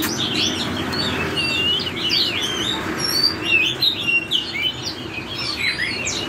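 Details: Forest-voice song of an Oriental magpie-robin: busy sequences of bright, swooping whistles and chattering trills, continuous for several seconds against a noisy hiss.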